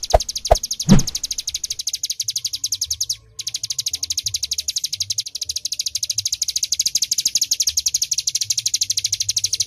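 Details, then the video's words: Bar-winged prinia (ciblek gunung) singing in full "tembakan" style for songbird training: a long, rapid run of high, sharp chirps about four per second, briefly breaking near the third second, opened by a few loud clicks, with low hum beneath. "Ciblek Gunung Full Nembak"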